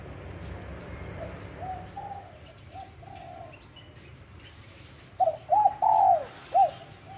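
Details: Spotted dove from the wild at Bang Bai Mai in Surat Thani province, Thailand. Soft, distant cooing at first under steady background hiss, then a clear run of arched coos and one long swelling note near the end.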